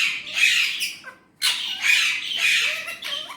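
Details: A pet Indian ringneck parrot, a talking bird, gives harsh, raspy squawking phrases in two bursts with a short pause between, high-pitched and scratchy like mimicked Urdu/Hindi speech.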